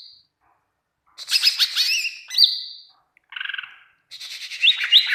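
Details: Greater green leafbird singing for birdkeepers to train other birds, with a dense chattering phrase, a whistled swoop, a short nasal rattle and a closing burst of upslurred whistles.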